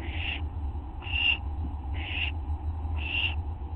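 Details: Nighttime owl calls recorded at 11:04 PM on August 24, 2011, from a group becoming bolder: four rasping, breathy screeches, each about a third of a second long, repeated roughly every second over a constant low electrical hum.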